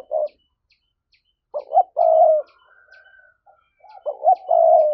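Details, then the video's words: Spotted dove in thúc coo style, used as a trapping lure: two phrases, each made of two quick rising coo notes followed by a longer steady hollow coo, with faint high chirps in the background. "Giọng cu gáy thúc hay, anh em mở lên kích bổi rất hiệu quả"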